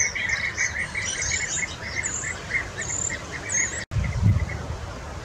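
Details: European bee-eaters at a breeding wall in Burgenland, Austria, in 2023, shared with many starlings: rapid, rolling mid-pitched chirps repeated several times a second, with higher thin whistles above and a low wind rumble beneath.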